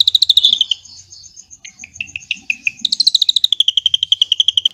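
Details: Drongo song containing cililin phrases, meant to train white-rumped shamas: an opening high rattling trill, a run of separate sharp dropping chips, then another long fast pulsed trill falling slightly in pitch.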